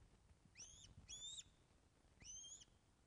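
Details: Osprey at the Loch of the Lowes webcam nest, Scotland, 24 August 2012 at 14:10, fish delivery; three loud, shrill, slightly rising whistles, the first two close together, the third after a second's pause, in a quiet setting.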